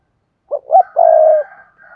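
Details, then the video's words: Spotted dove with vigorous thúc gù cooing, for luring wild doves: a brief hoot, a rising second note, then a drawn-out low coo fading into soft trailing notes. "Tiếng chim cu gáy thúc gù sung, chuẩn dùng kích bổi"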